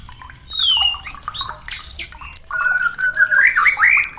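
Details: White-rumped shama song for stirring breeding condition, softer and echoing: a falling whistle, scattered chips and squeaks, then a rising, wavering warbled phrase near the end.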